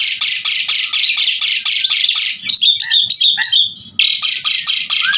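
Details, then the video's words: Asian pied starling singing actively, used to tutor other songbirds: rapid harsh grating bursts, then a short run of clear whistled and warbled notes, then the rasping bursts start again. "Suara Jalak Suren Gacor Sangat Ampuh Buat Masteran Burung kicau Laen Nya"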